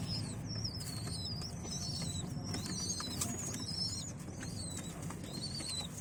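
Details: Pigeon chicks being fed by their parents give a busy run of shrill, wavering squeaks, many overlapping, above a constant low background hum.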